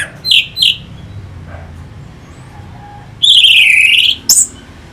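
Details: Orange-headed thrush singing as a stimulus for fighter birds: two short, bright whistled notes, a long pause over a low background hum, then a rich, falling whistled phrase followed by one sharp high note.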